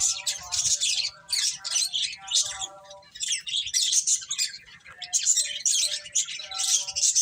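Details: Finches chirping while eating, producing rapid, buzzy bursts of high tweets in pulses about every second, with some thinner tonal notes and short lulls between bursts.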